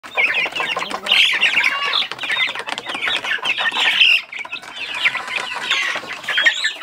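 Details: Little chickens eating from a food tray in a chicken coop, making many high, thin, overlapping peeps and cheeps, with pecking and scratching noises throughout.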